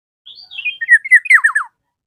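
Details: Energetic black-naped oriole calling a rival: soft whistles lead into a string of loud, harsh, falling notes, roughly seven delivered rapidly in under two seconds.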